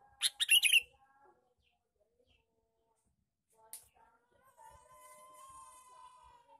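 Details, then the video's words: Male sooty-headed bulbul uttering a short, lively chattering phrase used as a lure call, followed by a soft click and a faint lingering tonal hum. "suara pikat burung kutilang jantan gecor cor cor"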